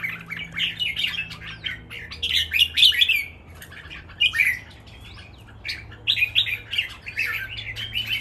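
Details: Caged red-whiskered bulbuls in a song contest between three males, singing lively, energetic phrases: bursts of bright, warbling chirps and rolling notes repeated in quick succession, with short pauses between bouts.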